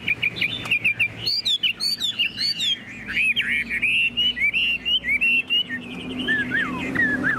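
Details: A tame hwamei kept in a cage sings loud, clear whistled phrases in quick bursts with short pauses, sliding notes and crisp upward flicks, ending in lower drawn-out slurs.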